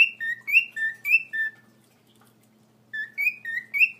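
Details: A male cockatiel whistles a courtship serenade of clear, alternating high and lower notes to his mate, a female.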